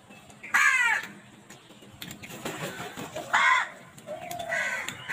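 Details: Crows squabbling over food, giving three loud, harsh, hoarse caws spaced a few seconds apart, with lower rasping notes between them and faint background noise.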